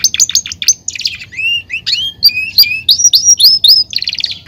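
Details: Belgian canary delivering clear slurred whistles, some rising and some falling, mixed with short chips and a closing buzzy trill.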